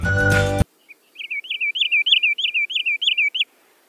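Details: Wood Sandpiper, a migratory wader in Sri Lanka that is uncommon there, gives a fast, ringing series of about ten bright, yodelling notes, each rising and dipping; a brief burst of music comes just before.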